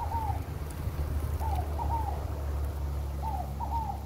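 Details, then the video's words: Scaled dove (rolinha fogo-pagou) singing: short paired coos near 900, each slightly falling, repeated about every 1.8 seconds, over a steady low rumble of background noise. "o #canto da #rolinha #Fogo #Pagou é lindo"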